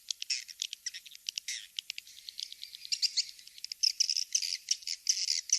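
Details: Swiftlet lure calls called King's Star, played to draw swiftlets into nest houses: quick, sharp chirps that start in separate bursts, then thicken into a continuous, shrill, buzzy twitter toward the end.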